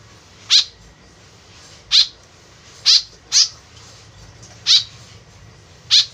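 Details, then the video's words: Repeated rasping calls of a white-breasted woodswallow, a sound used for luring: six harsh nasal notes at uneven one-second gaps, two falling close together. "BURUNG KEKEP BABI GACOR SUARA JADI PIKATAN . SUARA BURUNG KEKEP MENDEKAT"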